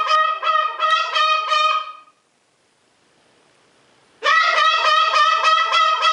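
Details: Greater sulphur-crested cockatoo kept as a pet, calling near its owner: loud, trumpet-like, rapidly pulsed honking in two bursts separated by about two seconds of silence, each burst steady in pitch and throbbing.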